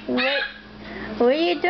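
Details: Pet red-fronted macaw chattering playfully with its owner indoors: two loud, strongly harmonic vocal phrases, the first rising then dipping, the second swooping down and back up, separated by a short quieter gap, over a faint background hum.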